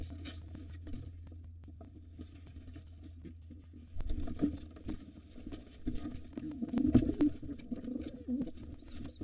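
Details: Pigeon fight at an occupied nest, the white father driving off a gray intruder; a steady low hum gives way to rapid scuffling, wing beats and knocking, with deep rolling coos rising during the struggle.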